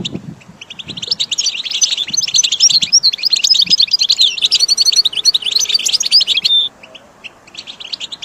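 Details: Recording of goldfinch singing for training caged birds: rapid, jangling run of high tinkling notes and trills, rising in intensity through the middle, ending abruptly in a short lull with faint chirps.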